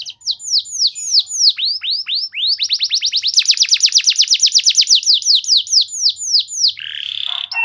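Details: Canary singing as a lure: spaced downslurred whistles accelerate into a long, fast, rising-and-falling trill, then slow to single sweeps before a short harsh buzz at the end.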